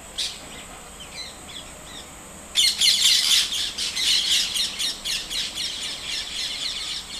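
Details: White-throated kingfisher (Halcyon smyrnensis), call.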